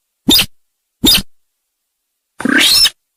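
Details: Trapping lure sound of the sintar sawah: two short, sharp chacking notes less than a second apart, then a longer harsh rasping call. Nothing else is heard between the notes.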